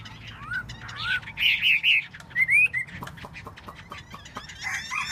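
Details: Chinese hwamei in tail-dance display: scattered slurred whistles, then a cluster of loud clear notes and a rising whistled phrase, followed by quieter clicks and fragments, with a low hum beneath.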